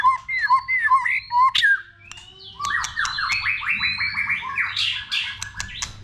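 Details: Multi-voiced White-rumped shama song used to spur other shamas to sing, opening with repeated clear upslurred whistles, then a fast run of rising whistled notes and sharp clicks.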